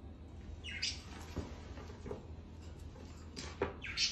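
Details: A playful kept rose-ringed parakeet (Psittacula krameri), indoors, gives two short, harsh, high squawks near the start and end, with a few soft clicks between, over a low indoor hum.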